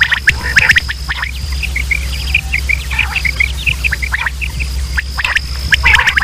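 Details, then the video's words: Male and female quail from Pakistan, calls used by hunters as a lure: a busy chorus of short, bright chirps repeated quickly across the whole stretch, with clicky bursts, a constant low drone and a faint high tone. "sound of quail | new batair ki Awaz صدای بلدرچین"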